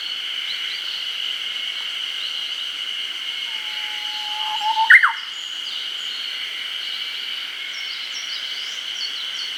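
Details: Singing Japanese bush warbler in an early-summer forest in Hokkaido, Nikon COOLPIX P950 recording: a quiet, low whistle swelling into a brief, abrupt flourish midway, surrounded by a constant high buzzing background and faint distant chirps.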